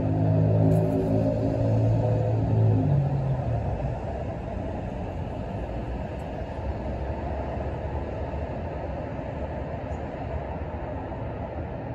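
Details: Steady low rumble of passing vehicles in an urban setting at sunrise, with a deeper engine hum fading out in the first few seconds and no animal calls.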